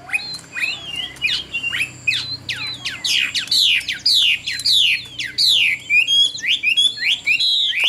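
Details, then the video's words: A Chinese hwamei sold as a good songster in Vietnam pours out fast, sharply descending whistled sweeps, repeated almost twice a second in an energetic, slightly harsh run. "Họa Mi Dáng Dấp Bóng Bộ Đẹp, Hót Tốt Giọng Hay"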